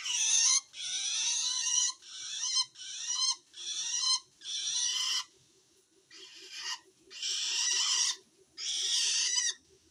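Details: Long-tailed shrike uttering harsh threatened calls toward other shrikes, calling wild ones in: about eight rasping, noisy bursts in quick series, with a faint steady ticking in the background.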